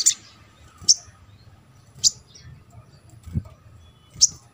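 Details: Little spiderhunter (sogon) on a therapy track meant to stir quiet birds into singing: sharp, high single chips spaced about a second apart, with faint low background hum.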